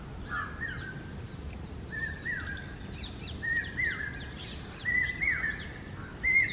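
Common hawk-cuckoo giving loud whistled phrases, repeated about every one to one and a half seconds, each pitched higher than the last. Thin chirps of other birds over a steady hiss.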